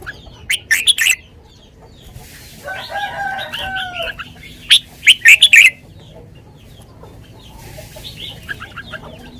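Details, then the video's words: Sweet lak wai style song from a caged red-whiskered bulbul: loud chattering warble bursts, a lower, smoothly drawn tonal phrase between them, and fainter trailing notes near the end. "นกกรงหัวจุก 626 จ้าวมาดี ลากหวาย หวานๆ"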